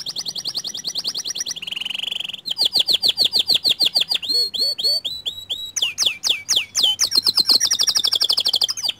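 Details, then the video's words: White canary singing to stir other canaries into song: a varied sequence of quick trills, a buzzy rolled phrase, rhythmic repeated notes and sharp downward-swept whistles, changing pattern every second or two. "Pancingan Kicau Kenari Putih Bikin Kenari Lain Ikut Gacor Dor"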